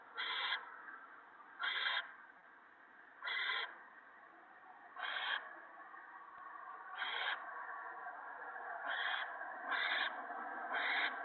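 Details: Owls at a nest on the evening of 28 March 2017, an adult shredding a gopher for the owlets: harsh breathy hissing bursts, about eight of them, each roughly half a second, spaced one to two seconds apart over a steady rasping background.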